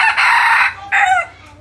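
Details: Close, loud crowing from a crossbred decoy red junglefowl: a harsh sustained note broken by a brief gap, then a shorter falling tail, with a faint low rumble underneath.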